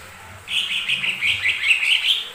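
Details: Continuous fast warbling from a lesser green leafbird, used as a lure to set other birds singing; a rich, unbroken chatter of slurred whistled notes runs for nearly two seconds after a quiet start.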